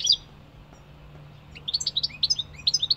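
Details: European goldfinch singing: a brief bright note, a pause, then a fast run of tinkling, twittering high notes with liquid trills, repeated rapidly over about a second and a half; faint steady low hum beneath.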